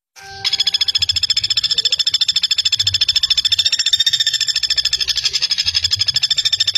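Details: Common flameback in a training recording for young songbirds, a sharp fast call: a dense, even rattle of high notes repeated about three times a second, running steadily without pause.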